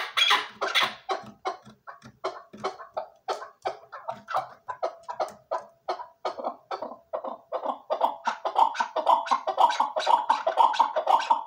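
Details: Chukar partridge giving a long run of clucking chuk notes, roughly two each second, starting ragged and becoming steadier and louder, with clearer ringing tones toward the end.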